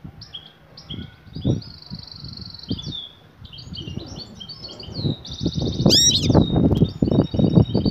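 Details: A female goldfinch, eager to breed, calls for the male with rapid high chirps and buzzy trilled phrases, one sharp downward-sweeping note near the end, backed by frequent low thudding knocks.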